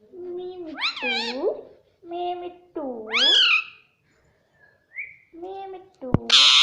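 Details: Indoor talking parrot, known for saying "mummy", producing lower, drawn-out, voice-like syllables that swoop up and down, with a couple of pauses and a sharp knock near the end.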